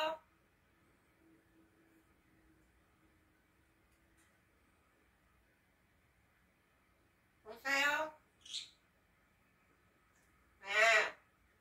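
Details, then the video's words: Pet eclectus parrot, three years old, mimicking speech with "yes, hello?" in Korean: after a long quiet stretch with faint hum, two loud voice-like harmonic phrases about three seconds apart, separated by a short high squeak. "뉴기니아 앵무새ㅡ예 여보세요?"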